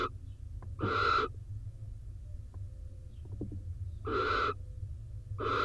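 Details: Barn owls at a nest box in Israel; the male, soaked by rain, joins the incubating female. Repeated raspy, breathy hisses of about half a second, roughly every three seconds, with light clicks between and steady low rumble.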